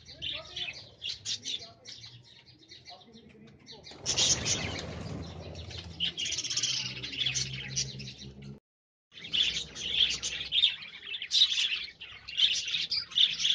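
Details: Budgerigars kept in Multan City chatter with rapid, high chirps and scratchy warbles, several birds overlapping.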